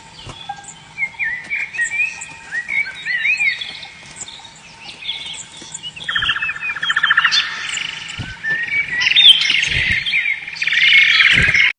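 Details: Domestic yellow canary singing a long unbroken song of chattering twitters, fast buzzy rolled trills and brighter whistled phrases that grow louder toward the end, over a faint constant hum.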